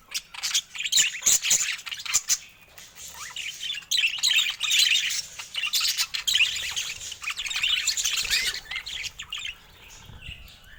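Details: Budgie flock chatter, a continuous mix of high warbling, squeaky chirps and rapid clicks that rise and fall in loudness throughout.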